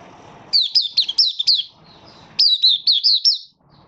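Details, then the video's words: Oriental white-eye, a Malaysian Mata Puteh kept as a hobby bird, in minor moult, starting to sing ('buka sing'), 24 August 2023. Two rapid bursts of high, thin whistled notes, each dipping downward, about six notes per burst, separated by a short pause. "Malaysian Mata Puteh Buka Sing"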